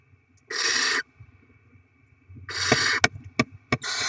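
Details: Barn owl nest during rodent feeding of the young; a lone half-second hissing screech, a pause, then another long rasp followed by sharp ticking clicks and a final hiss.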